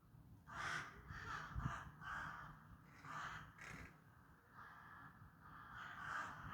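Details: Crows cawing, a series of harsh, hoarse caws repeated at irregular intervals, some doubled, over a low rumbling background.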